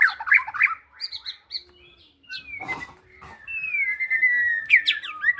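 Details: White-rumped shama, Indonesia: quick warbled notes, then a burst of harsh scratchy sound followed by long clear whistles gliding downward, ending in sharp rising and falling flourishes.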